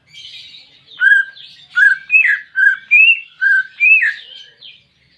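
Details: Caged-bird therapy song of the greater green leafbird (cucak ijo) for a silent pet: a run of loud whistled phrases, alternating high slurred and lower steady notes, over soft chattering warbles.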